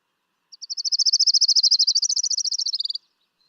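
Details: Orange-crowned Warbler (Leiothlypis celata), a spring migrant of Washington deciduous shrubs such as hawthorns, alders and willows, sings a fast, high, musical trill of about two dozen notes that swells, rises slightly, then falls off lower at the end.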